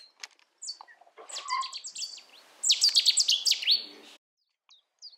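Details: Cetti's warbler in the UK: scattered chirps lead into two explosive bursts of fast, hard repeated notes, the second louder, with a faint rustle underneath.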